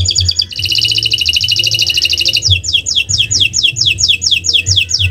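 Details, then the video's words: Canary song played to lure other birds into singing: short high notes, then a dense buzzing trill, followed by repeated descending whistled slurs, with a low rumbling background. "Masteran Burung Kenari untuk Pancingan"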